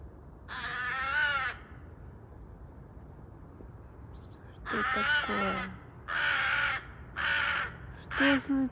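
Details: Restless, agitated crow giving a long harsh caw, then after a pause a series of four rasping caws with croaking lower tails, as a woman talks to it in Russian.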